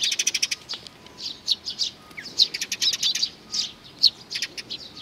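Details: Eurasian tree sparrows gathering to be fed at Mizukami Bridge, 4 June 2020: a dense run of short, bright chirps from several birds, overlapping rapidly, with a faint steady hum underneath.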